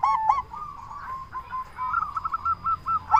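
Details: Local zebra dove with a big voice, played to get other zebra doves calling back: a brief pair of ringing coos opening into a long, even, rapidly pulsed purring trill of short notes.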